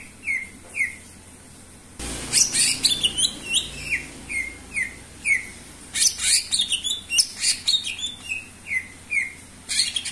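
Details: Greater green leafbird in persistent song, used to spur other birds into singing. Slurred falling whistles repeat rhythmically, interrupted by loud, scratchy chatter bursts, before the whistle series resumes.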